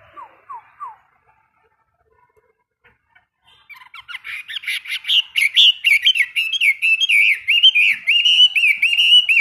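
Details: A caged Chinese hwamei, a seasoned bird, during its daily 15-minute morning song training. A few short descending notes open the recording. After a pause, loud, rich warbling begins and runs continuously, rising and falling with rapid twists.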